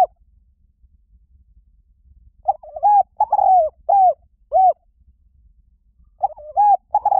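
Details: Spotted dove cooing after a quiet start: a two-part opening coo, a long hoarse note, then two clear rounded hoots, and later the phrase begins again with a quick double coo.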